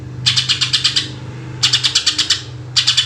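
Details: Greater green leafbird, a lure recording of 'tembakan' shooting song: two long rapid volleys of seven to eight harsh staccato pulses, then the start of a third, against a faint low background drone.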